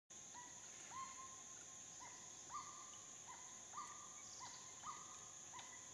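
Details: Chestnut-winged cuckoo at a small waterhole in a dry stream bed during the dry season, Phnom Prich Wildlife Sanctuary, Mondulkiri, Cambodia; upslurred whistled notes repeated roughly once a second, some paired, over a steady high insect drone.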